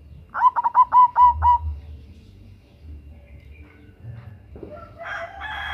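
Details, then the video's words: Zebra dove of the local type, a female calling a male for luring: six evenly spaced, rounded low coos in quick succession, then quiet, then a rougher, noisier sound at the end. "Perkutut Lokal GACOR Suara BESAR - Pancingan bunyi"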